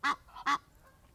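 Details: Egyptian goose giving two loud, harsh, nasal honks about half a second apart, with a softer honk between them; from a friendly group of wild Egyptian geese, with wing-stretching displays and another goose landing nearby.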